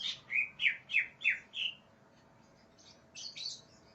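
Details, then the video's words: Greater green leafbird in an aggressive song, raging and looking for a rival: five or six loud, clear notes slurring downward in quick regular succession, then a pause and a few softer, higher chirps. "cak ijo NGAMUK cari LAWAN"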